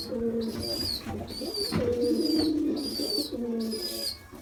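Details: A baby pigeon, still hungry after being fed a large meal, gives loud, thin, high squeals roughly every second, four in a row, with softer low burbling beneath.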